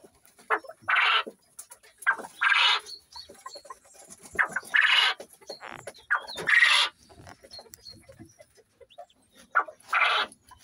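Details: A new male Coturnix quail, still sounding a bit rusty, crows about five times, every two seconds or so: a short note, then a harsh, buzzy, rattling burst, with faint chatter between. The males compete, calling in front of the females.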